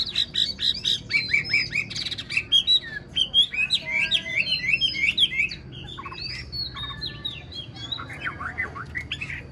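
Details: Caged Chinese hwamei, an old bird caught in the wild and prized for its singing, delivering a rich varied song: quick chattering notes, then looping whistles and fast trills, some phrases softer toward the end.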